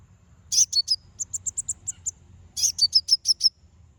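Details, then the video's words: Konin song for provoking rival birds: two phrases of quick, high, sharp repeated notes, the first a steady chain of about ten chirps, the second a descending series of six bright notes. "Konin bunyi manggil lawan"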